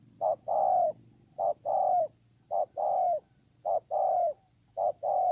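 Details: Decoy spotted dove used on the ground, 8 October 2018, cooing in regular couplets: a brief clipped note, a short pause, then a longer hollow note, repeated about every 1.1 seconds.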